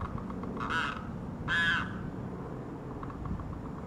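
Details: A Florida limpkin, near Gulf Coast marshes and swamps, gives two harsh, ragged wailing cries about a second apart, over a steady low rumble of background noise.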